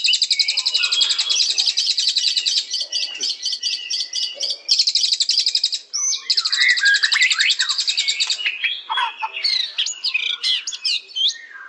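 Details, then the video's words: White-rumped shama delivering long bursts of rapid, shrill trilling broken by short pauses, then a varied stretch of sharp whistles, slurs and scratchy notes. "Beautiful Birds Chirping Murai Batu"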